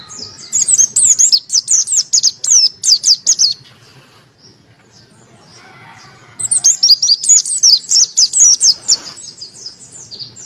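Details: Caged white-eye, Monty type, with a crystal-clear voice used as a tutor and to provoke reluctant birds into song. Two bursts of rapid, very high, sharp chirps separated by a few seconds of quiet.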